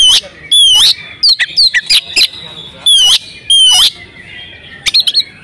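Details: Female oriental magpie-robin in breeding condition, used to make males sing: loud sweeping whistles rising then falling, interspersed with short sharp chirps, ending in a quick cluster of high notes.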